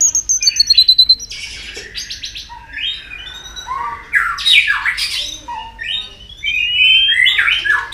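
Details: White-rumped shama pushed into competitive singing: a quick high trill opens, followed by a jumble of harsh squeals, slurred whistles and chattering notes varying in pitch.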